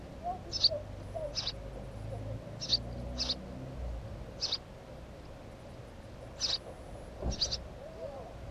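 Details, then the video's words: House sparrow filmed at a nest, giving scattered short, high chirps, some in pairs, over eight seconds, with a brief low thump and background hum. "Воробей домовый"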